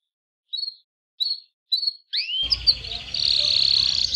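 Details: Domestic canary singing to tutor young canary chicks: three sparse high chirps, then an upward sweeping note leading into a continuous high buzzy trill, with low background rumble.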